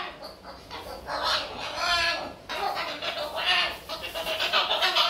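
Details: Talkative pet Moluccan cockatoo vocalizing: loud, raspy, speech-like bursts with wavering harmonic tones, running almost without pause through five seconds and rising and falling in strength.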